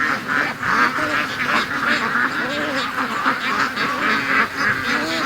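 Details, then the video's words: Many free-range ducks quacking during the morning rush, a continuous, rapid chatter of coarse nasal calls with occasional lower, softer notes. "Ducks' Morning Rush Is Getting Faster & Faster"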